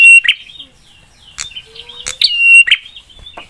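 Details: Prinia (prenjak) with its sharp 'pedas' lure song meant to stir other prinias to call back. Quieter trills and a clicky note run into one strong phrase: an upslurred note held as a level whistle, then a rasping tail.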